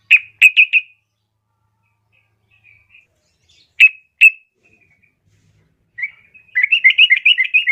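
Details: Scattered call notes from a female yellow-vented bulbul calling a male: a quick triplet, two isolated chips, then a longer run of rapid, jumbled chattering near the end.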